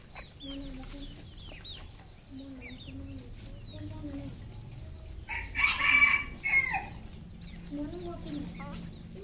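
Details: Red junglefowl on a farm in Cambodia: a series of short, low clucking notes, then a loud, harsh crow lasting about a second in the middle, followed by more soft clucks over steady background noise.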